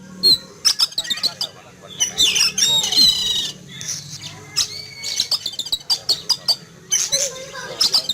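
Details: Caged Oriental magpie-robin set out in a yard in the morning, frightened after seeing an eagle flying over, giving a noisy burst of sharp harsh chattering notes and shrill whistles, with a man talking in the background.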